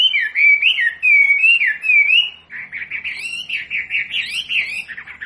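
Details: Wambi song from a masteran recording used to teach captive birds: a run of loud, slurred whistles wavering between low and high, then a busier, quicker warbling phrase of short rising and falling notes.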